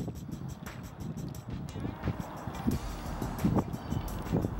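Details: Music plays over low vehicle rumble and faint speech, with no animal calls.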